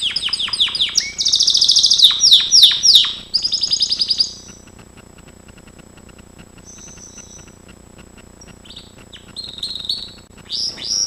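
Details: Training song of a Gloster canary, opening with fast sweeping chirps and dense rolling trills for about four seconds, then near quiet with a few faint notes before soft chirps resume at the end.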